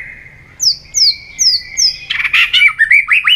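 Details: White-rumped shama singing competitively: four high falling whistles repeated every half second over a steady tone, then a burst of loud, rapid, varied warbled notes.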